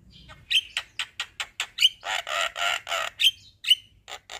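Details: A male Javan myna sings a long rolling song: sharp clicks repeated about five times a second, broken by loud harsh rasping bursts and short bright whistles, over a quiet background.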